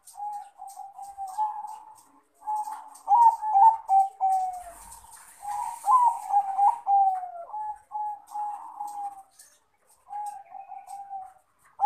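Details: A male zebra dove of crossbred Bangkok type calls to a rival in repeated phrases of rapid, rolling coo notes. Loud bubbling bursts alternate with softer drawn-out notes over about twelve seconds.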